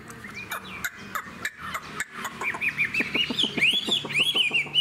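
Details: Caged spread-tailed Hwamei. The first half is mostly sharp clicks and taps. Then a bright series of looping whistled phrases builds, each rising and falling, getting louder toward the end.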